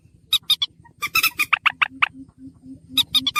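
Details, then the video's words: Slaty-breasted rail (mandar batu) calls recorded for use as a bird lure: short harsh squeaky notes in quick bursts of three to five, then a run of lower clipped notes, over a steady low electrical hum. "burung mandar batu"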